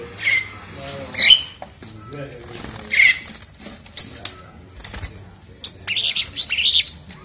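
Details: Asian pied starling sings loudly while being bathed: loud, scratchy whistled phrases in irregular bursts, mixed with splashing and fluttering wingbeats.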